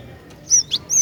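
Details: Female cinereous tit calling to prompt males to sing: three sharp, high whistled chirps in quick succession within a second, the first and last thin and level, the middle one lower and fuller, over a quiet background.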